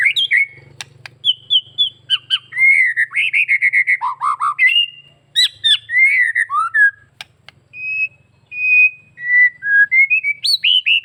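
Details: White-rumped shama of the Bali type in full, lively song packed with varied phrases, used to make other shamas answer: rich whistled notes, rising and falling slurs, quick chattering bursts and short sharp clicks, with brief pauses between phrases.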